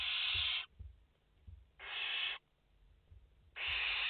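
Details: Nestling barn owls, five in the nest, 29 August 2021, live camera: three harsh, steady hissing screams, each well over half a second, separated by quiet gaps of about a second, with faint knocks between.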